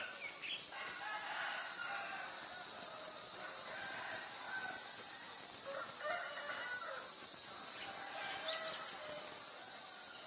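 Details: White-vented myna (Acridotheres grandis) at Ubon Ratchathani, Thailand, on 25 March 2022: harsh, chattering harmonic calls in uneven bursts over a loud, steady, high insect drone.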